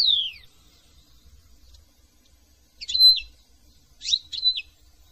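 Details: European goldfinch, a partially migratory finch from France, opening with a clear falling whistle, then after a pause two short bouts of sharp, high twittering notes.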